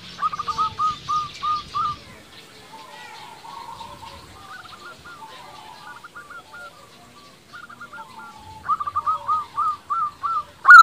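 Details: Local zebra dove in strong song, used to lure and provoke rival doves into answering: soft, low, hooting notes repeated in short rhythmic phrases, fading in the middle and returning louder near the end, with faint chirping behind.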